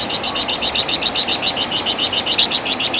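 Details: Wergan jawa, or Javan fulvetta, in a master song for training songbirds: an unbroken string of quick, sharp, high chirps, about seven each second.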